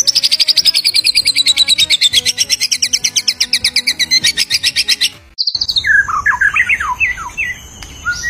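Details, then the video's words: Actively singing white-rumped shama in the wild: a long, steady, rapid trill of high pulses lasting about five seconds, a brief silence, then a burst of varied, lower, slurred whistles. "SUARA UNIT MURAI BATU GACOR DI ALAM LIAR"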